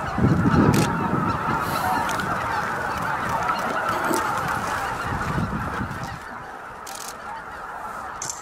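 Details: Spring evening at Miyajima-numa, Bibai, Japan, 11 April 2016: about 15,000 greater white-fronted geese flying in to roost between 18:00 and 18:30 make a steady chorus of countless overlapping nasal yelps, with a low rushing rumble fading after six seconds.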